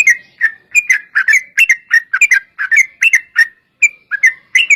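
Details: Sooty-headed bulbul singing a lively chain of short whistled, bubbling phrases in quick succession, nearly continuous, with brief pauses, meant to provoke other bulbuls into replying.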